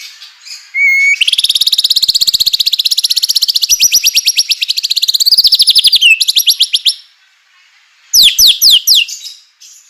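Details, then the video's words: White-rumped shama singing hard, used to stir other shamas into singing; a brief whistle opens a long, fast, buzzing rattle lasting about six seconds, followed after a pause by a run of sharp falling notes. "murai batu gacor AMPUH UNTUK pancingan murai batu agar emosi"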